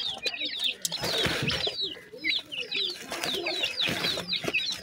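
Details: Busy chorus of high, curved cheeping from grey francolin chicks during feeding, notes tumbling over each other, with rustling and muffled background noise.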